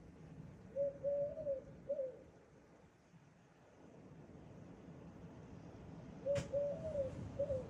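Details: Eurasian collared dove calling: two low, hollow three-note coos, the middle note drawn out, about five seconds apart, with a sharp click just before the second phrase over a quiet indoor-like hum.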